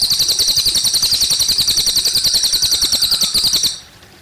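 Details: A cililin sings a bright, dense high-pitched trill with quick even pulses for nearly four seconds, then stops abruptly, leaving gently flowing water in the background.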